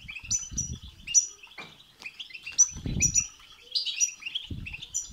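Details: Goldfinch song of the batbata and satsata kinds, for getting a goldfinch to sing: bright chirps and tinkling twitters in bursts, with low fluttering thumps at the start, the middle and the end.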